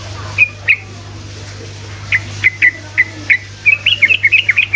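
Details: Sooty-headed bulbul producing sharp, evenly spaced chirps that accelerate into a quick bubbling flourish, a song played to coax other bulbuls into singing; soft background hum throughout.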